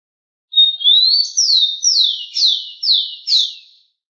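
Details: Tico-tico, the rufous-collared sparrow, singing a level whistle that climbs into five sharp descending slurs, evenly spaced about half a second apart, against a clean quiet background.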